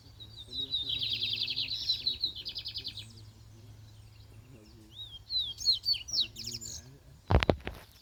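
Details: Lined seedeater, a spirited contest bird, sings a loud buzzy trill phrase, then sliding whistled notes and chips; a sharp knock and murmuring voices are heard near the end.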